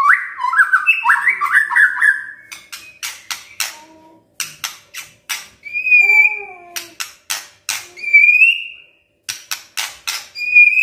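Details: White-rumped shama (murai batu) singing: an opening run of rich warbled whistles, then a series of sharp clicks and short clear whistled notes with brief pauses between them.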